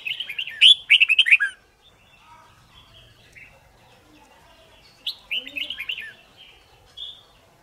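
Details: Red-whiskered bulbul competition song for training: a dense run of bright warbled whistles, a quiet stretch with faint soft notes, then another lively warbled phrase.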